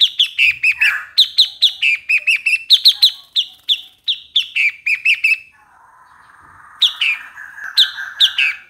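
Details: Bulbul singing a fast run of bright, slurred phrases, each dropping from a high note to a lower warble, repeated almost without pause, then a quiet gap and two more sharp phrases over a soft hiss.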